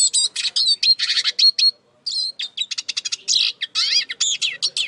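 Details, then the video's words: Eurasian siskin singing, likely kept as a cage bird: rapid twittering phrases of buzzy, scratchy notes and short whistles, a brief pause near the two-second mark, then fast chattering trills and wheezy slurred notes. "İskete kuşu ötüşü"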